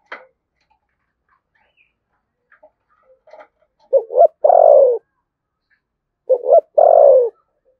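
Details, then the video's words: Spotted dove in Đồng Nai, Vietnam, delivering the 'thổ sấm' voice with 'thúc gù' cooing; after faint clicks, two low phrases about two seconds apart, each a quick two-part coo leading into a long descending note. "cu gáy giọng thổ sấm Thúc Gù bài bản chuẩn nhất Đồng Nai"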